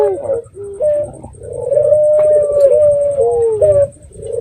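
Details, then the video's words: Red-eyed dove lure calling: short rising notes, then a long wavering, slightly rising coo of about two seconds, ending in brief falling notes, with a low hum underneath. "Pancingan Burung Puter Mata Merah Gacor"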